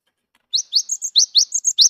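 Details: Cinereous tit, newly caught from the wild yet singing freely, used to prompt mute birds to sing: rapid series of bright upswept notes mixed with level whistles, roughly eight notes in under one and a half seconds, quiet background.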